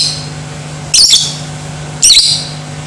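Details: Lovebird chatter used to provoke other lovebirds into aggressive singing: two short harsh, high chattering bursts about a second apart, over a steady low electrical hum.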